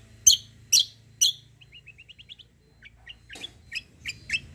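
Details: White-eye lure (kecial kombo) to get other birds to answer: three loud, sharp, high chirps, a soft run of tiny rising notes, then a renewed series of crisp, high chirps.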